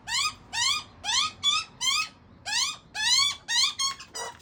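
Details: Young Australian magpie begging at its father, giving a steady series of about ten rising, harsh, ringing squawks, some clipped short, with brief gaps between them.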